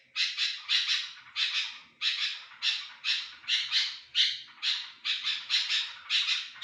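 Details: Sooty-headed bulbul, recorded for luring other bulbuls, repeating scratchy, noisy chatter bursts about twice a second, each slightly falling in loudness, against a quiet background.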